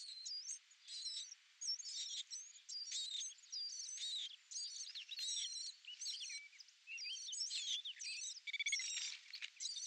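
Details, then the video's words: Eurasian blackcap song: a rich, fast warble of varied whistled and chattering notes, delivered in nearly continuous phrases broken by brief pauses for about ten seconds, with no other sounds. "La fauvette à tête noire"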